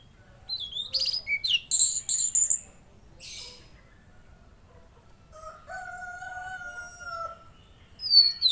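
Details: Energetic Tledekan Laut (Mangrove Blue Flycatcher) tutor song: a burst of rapid, shrill, varied whistles and chips, a pause, then two long, steady, lower whistled tones held together before a final sharp high note.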